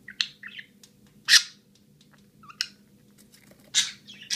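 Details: Pet blue budgerigar meeting what seems to be itself or another blue budgie, giving sharp, scratchy chirps and short warbled notes in quick bursts.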